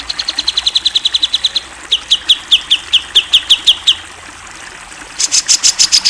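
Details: Clear-voiced champion cucak jenggot (grey-cheeked bulbul) in a tutor recording. A rapid series of high chips is followed by slower, evenly spaced sharp notes, then a final burst of buzzy, very high repeated notes.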